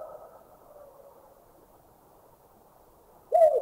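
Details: Collared Scops Owl recorded in Thailand: after a quiet stretch with a fading echo, one short, clear hoot sounds near the end. It swells and then drops slightly in pitch, over a faint hiss.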